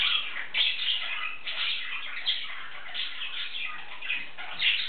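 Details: A male English budgerigar talking and singing to himself in a continuous scratchy warble of mid-to-high chirps and trills, with brief louder bursts about every second.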